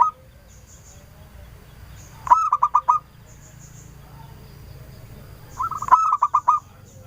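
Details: Local zebra dove singing actively as a lure with a clear voice to draw lively answers: two bursts of rapid, mid-pitched rolling coos, five to six notes each, about three seconds apart, faint high chirps between.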